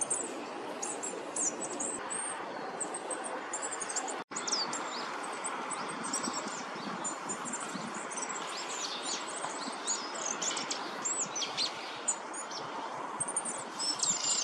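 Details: Goldcrest, a small winter visitor in Korea, singing in early March 2024: very high, thin, rapid notes repeated throughout, almost at the edge of hearing, over a steady rushing background like wind or running water.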